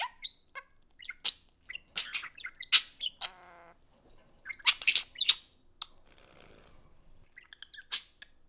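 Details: Two pet budgies socializing over a phone, giving bursts of bright chirps and warbled chatter, a short buzzy rattle, then quieter stretches between bursts.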